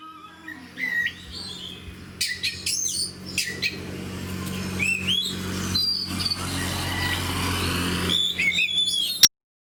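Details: Oriental magpie-robin (kacer) in fighter-type song, described as rousing other magpie-robins. Scattered whistled slides and chirps sound over a steady low hum, ending in a sharp click.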